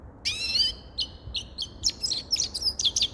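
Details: Grey-crowned goldfinch singing: a long buzzy twittering note, then a quick run of high tinkling chirps and short trilled phrases, bright and rapid throughout.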